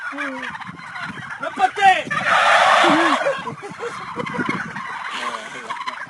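A group of turkeys gobbles and warbles in overlapping bursts, about two or three calls a second, with a brief rushing, noisy swell midway.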